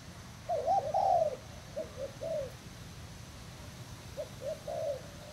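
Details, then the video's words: Spotted dove from Thailand, a bare-lure decoy bird tethered on a cord, recorded 18 June 2018: soft low cooing phrases, a louder double coo near the start followed by quieter spaced coos, with steady low background hum. "Cu gáy thailand mồi trần dây"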